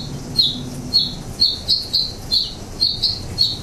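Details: House finch at a hummingbird feeder in San Francisco during summer breeding season, feeding on nectar: a steady run of short, high, slightly rising chirps, each about half a second apart, over a faint low hum.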